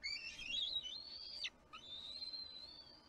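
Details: Bald eagle eaglet at a Kisatchie National Forest nest on a livestream, 6 April 2022, throwing a tantrum when the adult ate the fish instead of standing by it; rising whistled squeals, a short break, then one long steady high whistle.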